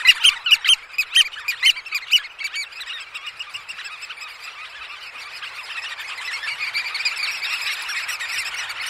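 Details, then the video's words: Eurasian oystercatchers at a roost at Snettisham in the early morning, recorded close up, give loud, shrill piping calls, about two a second at first, then fade into a dense chorus of many birds calling together. "CU Calls From Oystercatchers At Roost"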